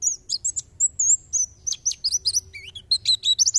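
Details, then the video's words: White-eye tembakan song for tutoring songbirds: a varied, very high mix of thin whistles, twisting slurs and quick chips delivered almost without pause, one dipping lower, with faint low background noise. "Tembakan pleci!"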